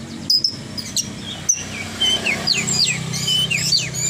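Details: Horsfield's bush lark singing vigorously: scattered sharp clicks and high chirps, then a run of clear falling whistles and slurred notes, with a low hum underneath.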